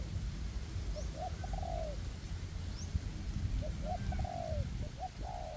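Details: Spotted doves used as trapping decoys, a ground decoy and a perch decoy working together in forest to lure wild doves. Two soft descending coo phrases are heard over strong low rumbling background noise.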